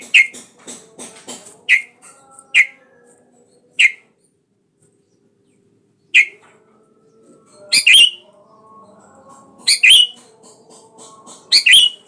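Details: Sooty-headed bulbul, a lively singer used as a lure call to provoke a rival into singing; loud bright harsh double notes with a ringing upper edge at irregular intervals, between softer broken chattering phrases.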